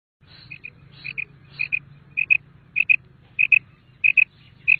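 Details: Calls of a common quail (bater): crisp, high two-note phrases repeated about every 0.6 seconds over a steady low rumble, with fainter higher notes early on.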